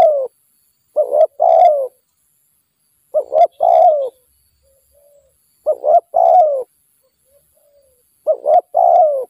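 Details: Wild spotted dove during trapping with a decoy. Low, hollow coo phrases, each a doubled short note then a prolonged falling coo, repeat about four times at spaced intervals with near silence between.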